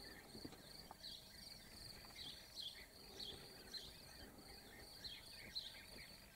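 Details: European bee-eater calling in Slovakia on 19 May 2019: short burry, rolling notes repeated at irregular intervals of about half a second, over a steady high insect trill and faint background hiss.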